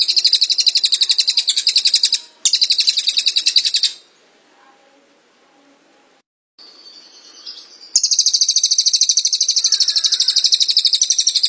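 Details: Cililin performing 'tembakan rapat', a dense burst style, in a long tutor recording. Loud rapid high trills are broken by abrupt cuts and a quiet stretch, then resume strongly and steadily.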